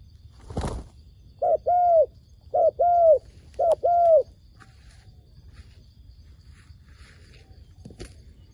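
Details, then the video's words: Dove used for trapping wild doves, cooing three times in short-long pairs at an even pace, framed by soft thuds and rustles before and after, then quiet with a faint background hum. "ឱ្យតែជួបលលកព្រៃ ធ្នាក់ហៅបរសឹងដាច់ខ្យល់"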